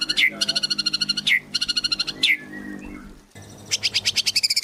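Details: Lure recording of a singing white-rumped shama in gacor form: rapid high trills punctuated by sharp downward-swooping notes, a short quieter gap, then a fresh burst of fast, bright notes.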